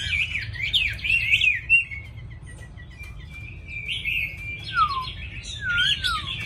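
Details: Tame caged Chinese hwamei, described as singing well and readily with a fine voice, delivering varied loud whistled phrases, some quavering, then clear down-slurred notes near the end, over a low background hum.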